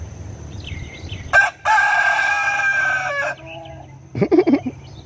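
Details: Roosters at Apollo 2: one gives a long, harsh crow of about two seconds, followed by a few short clucks, while another bird chirps faintly in the background.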